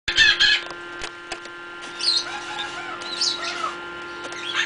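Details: Newly hatched pheasant chicks inside an incubator: a loud burst of rapid, harsh stacked cheeps at the start, then scattered high arched peeps rising and falling, over a steady mechanical hum.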